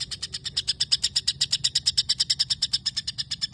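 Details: White-rumped shama delivering an extended sparrow-imitation passage, rapid bright chip notes in an unbroken train, slightly varied in loudness, with soft background hum.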